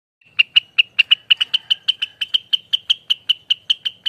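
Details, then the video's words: Rengganis (blue-winged leafbird) singing in the rapid-fire ropelan style, described as noisy and non-stop and used as a lure and tutor song: about eighteen sharp, bright, evenly spaced notes in four seconds at a steady high pitch, with a clean background. "ROPELAN ribut loss burung Rengganis"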